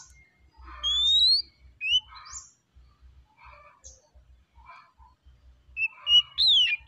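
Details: Oriental magpie-robin singing a lively, relaxed phrase of rapid, varied whistled notes, some rising, some looping, with soft chattering fragments in between and a sharp flourish at the end.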